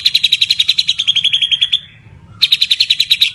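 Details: Vigorously singing Medan white-rumped shama: a fast train of crisp, high repeated notes, a brief pause near the middle, then the same rapid series resuming.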